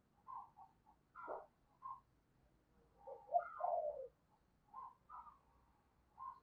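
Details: Decoy spotted dove calling to draw in wild doves with 'thúc' and 'gáy' calls: a string of soft, low, hollow coo notes at irregular spacing, with a louder, slightly falling coo in the middle. Faint rumbling background.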